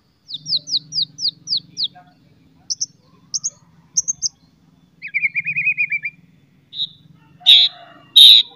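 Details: White-rumped shama in top singing form, its chattering and sharp whistles meant to provoke other shamas: six quick high descending notes, paired short phrases, a fast trill and two loud burry calls, with a low humming murmur underneath.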